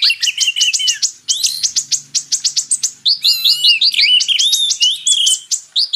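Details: Kolibri ninja, or purple-throated sunbird, paired with Oriental magpie-robin song as training material: quick runs of sharp high chips, about two or three per second, blending into wavering slurred whistles and a brief rattle.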